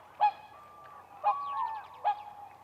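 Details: Whooper swans on spring lake ice: three loud, short trumpeting honks about a second apart, joined by a softer drawn-out call and some faint, rapid higher notes.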